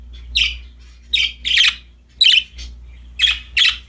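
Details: Happy budgerigars playing with a new toy give short, harsh chirping bursts, six of them spaced about half a second to a second apart, over a faint low hum.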